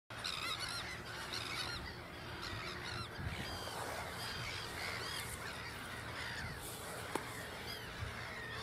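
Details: Black-headed gull parent with chicks at Ottersaat on Texel, the Netherlands; chicks keep following as the adult walks away. Overlapping harsh, arched squawks repeat throughout over steady low background rumble, with several birds calling at once.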